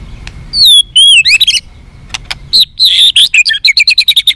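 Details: Tame uncaged White-rumped shama singing clear looping whistles, then sharp chips building into a fast even series of high repeated notes at the end.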